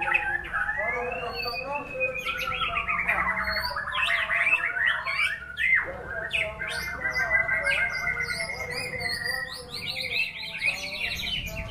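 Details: White-rumped shama performing a rich, varied song: bursts of whistled and trilled phrases, some rising and falling sharply, with buzzy chatter mixed in and a steady, dense flow throughout.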